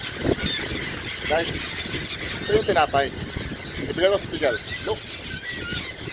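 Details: Several gulls on the Scheldt, Belgium, being fed bread and competing for food, give harsh, squealing calls that slide down in pitch, in short bursts every second or so, over outdoor rumble and faint voices.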